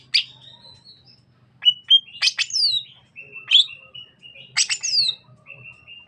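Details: Singing greater green leafbird of the Sukamade variety from East Java's Banyuwangi, known for a minipici opening copying the Keluar bird: loud sweeping slurred notes mixed with long level whistles, delivered in irregular bursts, with a quiet background.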